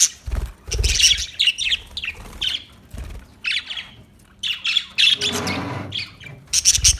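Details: Budgies chattering with harsh squawks and buzzy chirps in uneven bursts, with some low bumping sounds between the calls.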